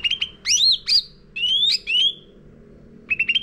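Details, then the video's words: Sooty-headed bulbul lure song for caged-bird training, made of bright swooping whistles: arching and rising slurs, two long upward-gliding notes, then a brief cluster of quick chips. "Pancingan Cucak Ranting Gacor Isian Full"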